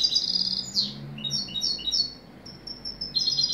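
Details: Singing European goldfinch, giving high, bright twittering phrases with a quick upward-sweeping note early on, a quieter gap in the middle, then more thin chirps, against a soft low hum.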